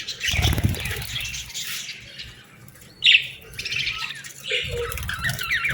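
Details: Begging baby budgies: bursts of grating chirps separated by a brief lull, then a sharp loud squeak and renewed raspy chattering, with soft bumping sounds underneath.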